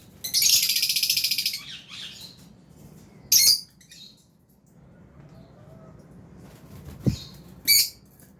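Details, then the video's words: Aviary colony of albino and Fisher's lovebirds while eating: a loud, grating chatter of rapid pulses held for over a second, then two separate shrill squawking chirps after quiet gaps. "Lovebirds Chirping Sounds"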